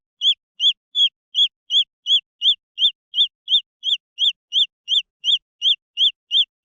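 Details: Young green junglefowl chicks call in a regular train of shrill, slightly downslurred peeps, close to three per second, around eighteen notes with no other sounds.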